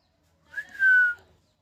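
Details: Rose-ringed parakeet, a happy rescued pet: one short upslurred note, then a clear sustained whistle held about half a second, softly dropping in pitch.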